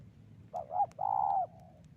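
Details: Spotted dove lure call used for trapping: two short soft coos followed by a longer, level, hollow coo, all low and mellow, over a faint low rumble.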